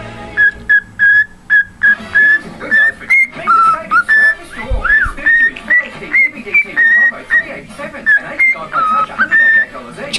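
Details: A caged pet cockatiel whistles Jingle Bells in a long string of clean, level notes, some sliding upward, with a brief thump midway and low room noise throughout.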